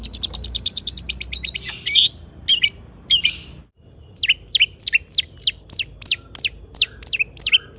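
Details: Vigorous long-tailed shrike song full of mimicked phrases, played to make other shrikes answer. A rapid high chatter gives way to harsh bursts, a brief pause, then separate downward-swooping whistles spaced about half a second apart.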